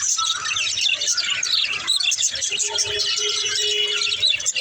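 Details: Pet budgerigars (Melopsittacus undulatus) chatter continuously in dense, scratchy high chirps and warbles, several birds overlapping without pause, while a faint steady low tone runs underneath.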